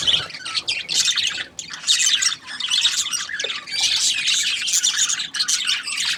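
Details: Budgerigar chatter in waves: loud blocks of rasping high chirps and twitters separated by brief quieter gaps near the two-and-a-half and five-second marks.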